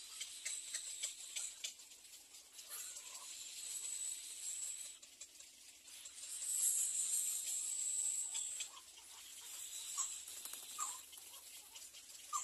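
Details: In the nest, hungry young little egrets beg with a hissing, raspy chatter of rapid rough notes. The chatter swells into a louder stretch around the middle, then settles into irregular scratchy bursts.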